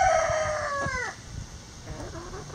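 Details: Backyard coop chicken gives a strong, tonal, harmonic call that sags downward over about a second, followed by quieter, softer clucking murmurs.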